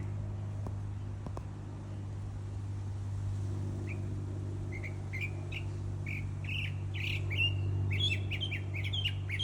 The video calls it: Bird singing